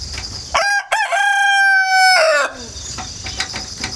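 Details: Home-hatched rooster living in the countryside, recorded 1 September 2019 with a GoPro and wireless mic on a ladder, gives a loud cock-a-doodle-doo: choppy first syllables, then a long, strong, even note. Insect trilling resumes afterwards.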